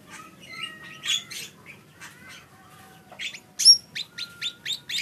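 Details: Lesser green leafbird singing. Varied whistles and warbled phrases open the song, then give way to a quick string of sharp, high chirps, each note clearly spaced.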